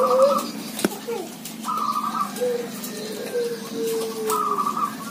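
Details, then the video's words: Several zebra doves calling together. Brief rattling trilled coos are mixed with lower, slowly falling whistled notes from other birds, over steady background noise. "Merbok kampung bunyi ramai"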